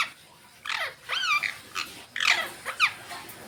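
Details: Green Indian ringneck parrots out in the sun make a handful of arched, squeaky chirps, spaced irregularly with quiet gaps between.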